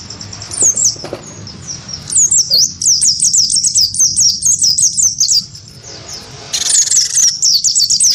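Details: Great tit of the wingko type, goaded to fight a white-eye: after a few scattered notes, a lively run of high down-slurred whistles, then a harsh buzzy burst mixed with chirps.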